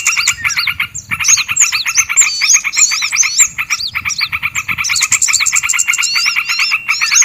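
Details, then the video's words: Lure sound for attracting small birds: dense overlapping chorus of rapid repeated chipping notes with high, curling whistled phrases above, continuous throughout with brief pauses, plus faint low rumbling underneath. "SUARA PIKAT BURUNG KECIL PALING AMPUH YANG DI CARI PARA PEMIKAT BURUNG"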